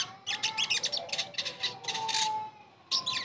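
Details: Sogon bird, recorded as therapy to make a bird that has gone silent sing again: dense bursts of rapid high chirps and twittering trills in quick clusters, short pauses between, with a faint steady hum beneath.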